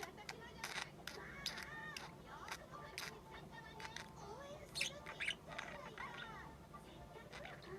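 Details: Six-month-old female budgerigar practising her calls and talking: a busy run of warbled chirps, squeaky clicks and short rising and falling whistles, with sharper bursts around the middle and near five seconds.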